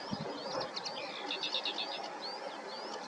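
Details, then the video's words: Common linnets, small finches filmed in summer through autumn, chattering in a quick run of high, rising chirps and twitters over a noisy rural background. "Common LINNETS Singing & Calling Sounds"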